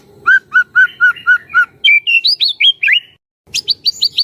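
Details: White-rumped shama used to prompt other shamas to sing, opening with six evenly spaced clear whistles, then higher slurred notes, a brief silence, and a rapid burst of sharp high chips; soft low rustling beneath.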